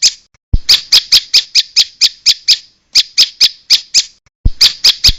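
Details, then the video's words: Lure recording of bar-winged prinia meant to gather other prinias: bursts of sharp, raspy chips delivered rapidly, broken by two short silences, with low knocks just before each burst. "Pikat burung prenjak ampuh di jamin kumpul"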